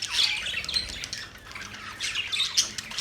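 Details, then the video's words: Budgerigars chattering together: a dense, continuous wash of overlapping high squawks, chirps and warbles, with brief sharper whistled notes rising out of the mix now and then. "budgies relaxing sound"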